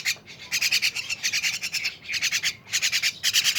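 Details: Noisy mynas give rapid grating rasps, about three pulses a second, in harsh runs split by short gaps.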